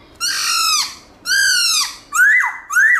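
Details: Black-throated laughingthrush, many-voiced wild song played for caged birds: two drawn-out, harsh, rich notes sliding downward, followed by two quick whistles that rise and then fall.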